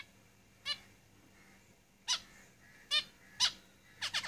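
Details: Caged zebra finches giving short nasal, harmonic-rich calls, about five spaced over four seconds and closing with a quick cluster of three, over a faint low hum.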